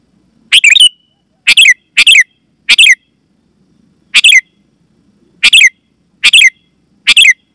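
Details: Sooty-headed bulbul calling loudly and clearly, a sound used to lure wild bulbuls in forest and to tutor caged ones: eight short harsh chattering bursts at uneven spacing, each ending in a brief rising note, over near silence.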